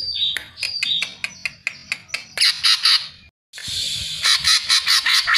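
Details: Greater green leafbird song used as a lure to get other birds singing; a series of sharp, high whistled notes, followed by loud, harsh, buzzy chattering phrases, with a short silent break in the middle.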